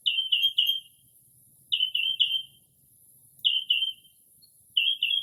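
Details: Mockingbird (Northern) singing at night in early spring near a house, imitating other species: triplets of bright downslurred notes repeated roughly every one and a half seconds, with a faint low hum underneath.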